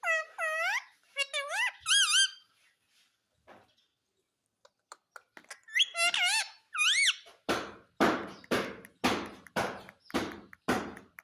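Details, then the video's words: Pet Indian ringneck parakeet, said to say mummy and papa, gives a series of arched harmonic syllables in small bursts, then a steady run of loud broadband knocking sounds repeated about twice a second. "मम्मी पापा बोलने वाला मिट्ठू || Ringneck talking parrot mitthu"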